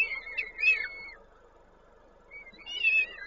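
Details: Peregrine falcon during feeding at the nest, Koszalin, Poland, 19 May 2022: a drawn-out, high, wavering whistled call, a pause of over a second, then another rising whistle over faint hum.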